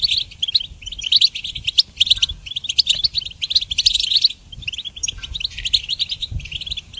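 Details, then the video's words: Goldfinch song for training songbirds, bursts of fast, high twittering and chattering notes broken by short gaps, the phrases varied and tinkling with occasional squeaks. "Harmonious Connection Motivation in Goldfinch Song Training"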